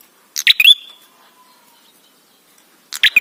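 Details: Red-headed ashy tailorbird singing as a lure: one full phrase of sharp clicks with a rising whistle, a quiet gap, then the start of a second phrase.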